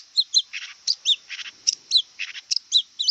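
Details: Wild long-tailed shrike giving a jerky song of high two-part chips alternating with raspy buzzy notes, each note short and separated by brief pauses.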